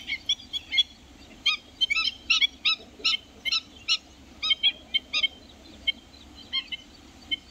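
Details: Black-winged stilt recorded in Jharkhand, India, giving sharp, nasal, yapping notes in clustered bursts of roughly two per second, growing sparser and softer toward the end, over a quiet background.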